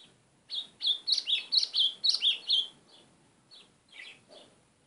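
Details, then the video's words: White-throated seedeater delivering a quick string of about nine loud, high, slurred whistles over two seconds, followed by a few softer, scattered chirps. The setting is quiet. "GOLINHA CHAMANDO MUITO AZULÃO!!"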